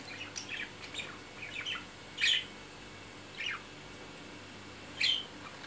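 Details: Budgerigar in courtship after mating: a few soft chirps, then three louder, sharp, high chirps spaced about one to three seconds apart.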